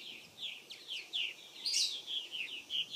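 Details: Chattering purple martins at a colony in South Florida, 2014: quick liquid chirps and creaky gurgles in a continuous series, with one brighter, higher squeaky note in the middle.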